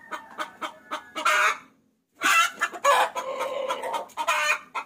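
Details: Hen calling a rooster, a lure sound for hobbyists: a run of short, evenly spaced clucks broken by longer harsh squawking bursts, a brief silence near the middle, then denser clucking and squawks.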